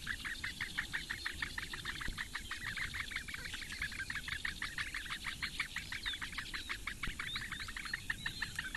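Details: Four Eurasian bittern chicks begging as the female feeds them at a webcam nest in the reedbeds of Lake Engure, Latvia, 15 May 2017 at 08:46; rapid, steady stream of short ticking chirps, about three per second, over low background rumble.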